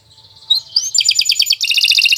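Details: Canary song for training other birds, beginning with soft notes and a rising whistle, then breaking into a loud, fast, rolling trill.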